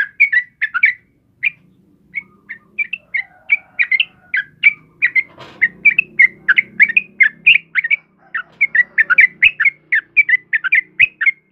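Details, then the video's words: Kebo-type yellow-vented bulbul singing briskly, a recording for luring and tutoring caged birds: repeated short bubbly chirps in loose groups, speeding into a dense chattering run, over a faint low hum and a brief rustle. "SUARA TRUCUKAN KEBO GACOR || Suara Burung Trucukan Kebo Asli Gacor buat pancingan dan masteran"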